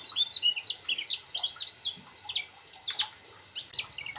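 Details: High, quick chirping phrases from a Mugimaki flycatcher singing its rolling song with a sooty-headed bulbul imitation, the stream of notes easing off briefly toward the end.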